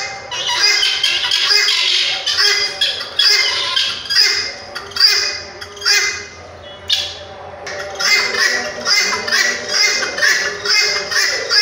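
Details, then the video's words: ['Red-wattled lapwing calling with harsh, strident notes in rapid bursts, repeated a little over once a second, with a brief lull midway and a faint low hum beneath.'] "তিত পাখির ডাক"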